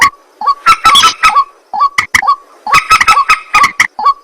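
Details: White-breasted waterhen calling at night: rapid run of harsh, croaking kroak notes mixed with sharp clicks and short upslurred nasal tones, two bursts separated by a brief pause.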